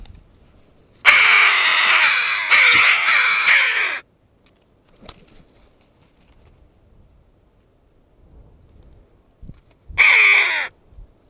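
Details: A raucous flock of red-billed choughs on the western Asturian coast, curious about a camera, bursts into a harsh, dense chorus of high calls for three seconds, falls quiet, then erupts again briefly.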